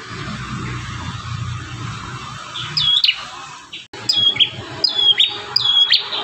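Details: Bar-winged prinia singing one of its song variations: after three seconds of hum, a few clear whistled notes sweep down and level off, spaced about three-quarters of a second apart.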